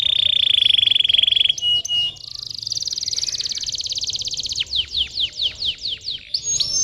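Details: Canary song used as a stimulating 'pancingan' for young canaries reluctant to sing: a fast, steady high trill, a buzzy rolling stretch, then a string of sharp falling notes about four per second.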